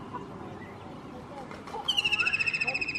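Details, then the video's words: White-throated kingfisher singing from a roof: after a quiet, noisy stretch, a loud, rapid, high trill of evenly repeated notes bursts in and slides gently downward, continuing to the end. "זמר על הגג שלדג לבן חזה מזמר על הגג Singer at the roof white throated kingfisher"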